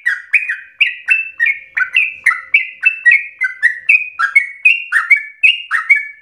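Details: Sooty-headed bulbul singing hard and persistently, offered as a lure and master recording for training: bright bubbling whistles in short slurred couplets, about one phrase per second, steady and unbroken.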